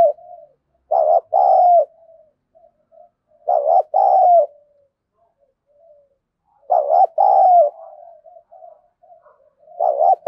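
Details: Decoy spotted dove with a 'thổ sấm' voice, harsh and scolding, used to rile wild doves. It gives deep, hoarse coos in doubled bursts, four phrases over ten seconds, with soft trailing murmurs between them and a still background.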